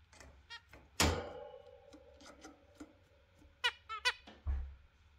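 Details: Exhibition zebra finch pair in the morning sun in the UK: short, nasal, toy-trumpet calls, with a few dull knocks in between.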